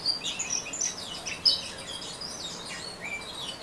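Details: Orange-headed thrush singing in the ngeriwik style: soft, rapid high twittering of thin squeaky notes and short scratchy slurs, loudest in a brief burst at mid-clip, with faint background hiss.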